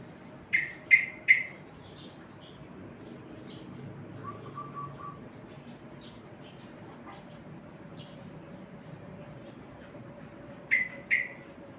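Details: Sooty-headed bulbul kept in a black cage: a quick burst of three bright, bubbly notes opens, soft low whistled notes follow midway, and another short bright pair ends it, over a steady faint hum.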